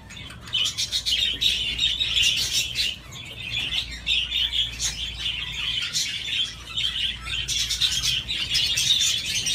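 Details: Budgie swinging and playing, keeping up a long, scratchy, burbling warble full of clicks and squeaky trills that swells and fades, with a constant low hum in the background.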